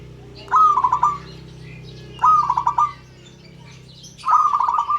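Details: Zebra dove, local type, calling to draw other birds into calling: three rolling, pulsed coo phrases with an upswept first note, roughly every two seconds, over a steady low background hum.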